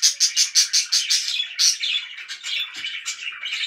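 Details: Loud pet budgerigar chirping: a quick train of sharp, evenly spaced chirps that slides into a chattering, buzzy warble.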